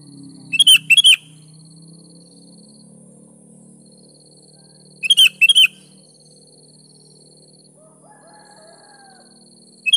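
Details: Lively 'gacor' singing of a sooty-headed bulbul for luring lazy kutilang: paired sharp chattering bursts about four and a half seconds apart, over a steady low hum and a thin high tone.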